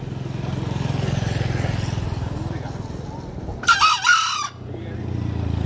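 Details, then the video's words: Green junglefowl crowing once: a short, harsh two-part burst of under a second that rises then falls, heard over a steady low engine hum that fills the rest of the recording. "ayam hutan hijau berkokok"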